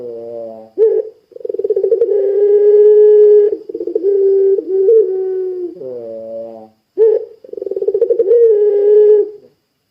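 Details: Puter pelung dove in full voice, played to draw other puter pelung into calling: repeated phrases, each a quick rising note, a rolling purr, then a drawn-out low coo, separated by wavering hoarse notes.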